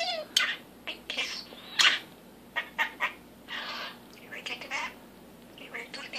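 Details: Captive pet male common starling practising a newly learned human phrase, repeated all day: a run of scratchy, breathy speech-like bursts and clicks with short gaps between, fairly quiet and indistinct, in an indoor setting.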